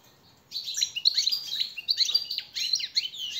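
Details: After a half-second of quiet, a European goldfinch launches into a master training song for captive birds: clusters of sharp, twittering chirps with short buzzy slurs, roughly one burst per second.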